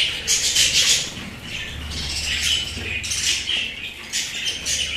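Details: Pet budgerigars twitter fast and shrill, roughly three notes a second, in a lively, continuous babble of chirps and squeaks.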